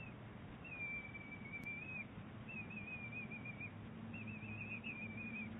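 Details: Wild bald eagles, an eaglet and its mother at Big Bear Lake, exchanging calls on 23 April 2018. Thin high whistled notes, slightly wavering, in three drawn-out phrases with short gaps, over a steady low hum.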